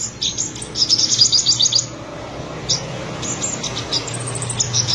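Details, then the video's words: Trotolan-style singing from a black-breasted olive-backed sunbird, buruensis race of Buru island, Maluku: a dense, very high rapid rattling trill for about a second, then quieter sparse chips over a low steady hum. "Sogok Ontong/Kolibri Sriganti Trotolan Dada Hitam gacor"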